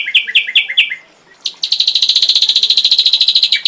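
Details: Ashy drongo song on a full-repertoire tutor recording for songbirds: four downslurred paired notes, a brief gap, then a long, loud, buzzy trill of rapid pulses lasting about two seconds.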